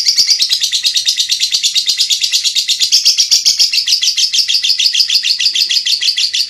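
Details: Continuous ngekek song of a lovebird, for use as master song when training songbirds: long rolling series of piercing high chirps in quick succession, loud and unbroken for over six seconds.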